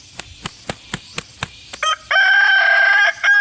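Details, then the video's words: A series of sharp regular clicks or taps about every quarter second leads into a loud, sustained harmonic crow from a Kukuak Balenggek rooster, ending in a short extra note. "Hobi Ternak Ayam Kukuak Balenggek, AKB (bagian II)"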